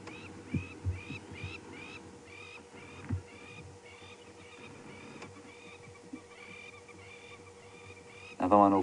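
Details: Crowned lapwings at Djuma Game Reserve on the morning of 13 June 2015, just after sunrise, calling off to the right in a clearing where they nest: faint, distant, shrill notes in quick runs, then scattered calls. A man speaks briefly at the end.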